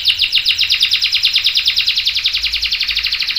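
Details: Canary singing a long roll for training young birds: a steady, rapid run of identical pulsed notes, about ten per second, with an even rhythm throughout.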